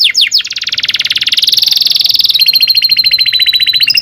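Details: Long rolling canary song meant as a training tutor for young birds: a few quick falling notes, then a fast buzzy trill held for seconds, dropping into a lower, steady rattling roll.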